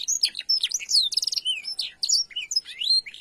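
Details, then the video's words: Canary chirping on a tutor recording for young canaries learning to twitter, with blackthroat phrases as filling: rapid, high, varied whistles and sweeping chirps tumbling without pause. "Cuitan KENARI_AMPUH UNTUK kenari paud belajar ngriwik"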